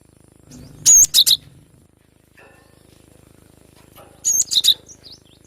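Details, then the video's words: Wild young cinereous tit in forest, two brief bursts of high thin whistled notes separated by a pause, in an otherwise quiet setting. "GLATIK BATU Muda hutan suara asli alam liar full besetan"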